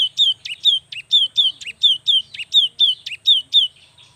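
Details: Cinereous tit singing to stir reluctant birds into song, repeating a ringing, whistled two-note phrase, high then lower, in a regular series of roughly ten phrases.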